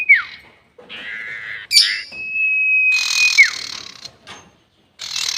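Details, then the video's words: Lure call of a sirtu bird in the long 'nyiul panjang' style for bird trapping: a brief falling slur, buzzy hissing notes, then a steady held whistle under loud rasping noise, finishing with a downward slur and a final harsh burst. "SIRTU NYIUL PANJANG ..... ‼️ Cocok Untuk Pikat || Suara Pancingan Sirtu"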